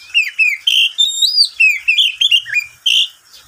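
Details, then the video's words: Pet oriental magpie-robin singing in the middle of the day: a fast, loud series of fluty whistles and slurred notes, about a dozen bursts in quick succession, each varied in pitch. "Suara burung Kacer di siang hari"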